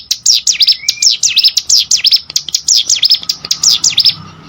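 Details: Prinia (cigun, prenjak gunung) song recorded as training material for contest birds: quick high whistled notes that dip and climb in V shapes, delivered in tight bursts with one short lower slurred note.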